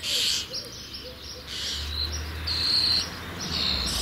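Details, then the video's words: Young common starlings in the nest, about to fledge, giving harsh, broadband hissing begging calls in bursts of about half a second, some with a thin whistled tone at the top; a low hum runs beneath. "Junge Stare ■ Sturnus vulgaris werden bald flügge"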